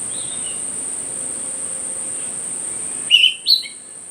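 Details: Myzomela, filmed for behaviour observation on 25 December 2022: after near silence, two sharp high chirps come about half a second apart, each bright and slightly falling, with a faint earlier twitter and constant hiss.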